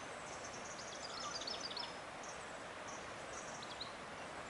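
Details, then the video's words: A European goldfinch perched atop trees beside the Dargo River, Dargo, Victoria, Australia, sings and calls in quick, tinkling twitters and thin high notes; another goldfinch calls from a nearby tree, possibly at a nest site. "Song & call of the Eurasian Gold Finch"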